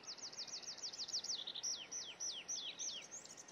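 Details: Great tit in Estonia calling clearly: a quick string of high descending chirps that slows into louder, longer notes sweeping sharply downward, repeated about three times a second against a quiet background.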